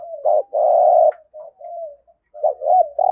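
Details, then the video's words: Spotted dove used as a decoy, cooing in the 'giọng thổ' style: a short note then a long steady coo, followed by softer, broken coos and another rising short phrase at the end. "Chim Cu Mồi cu gáy giọng thổ cực chất"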